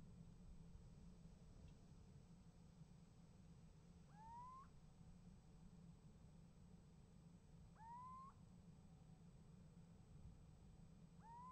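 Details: Little owl at a nest box, 28 January 2015, calling back and forth with another owl: three plaintive rising notes spaced roughly four seconds apart, each bending up sharply at the end, low hum beneath.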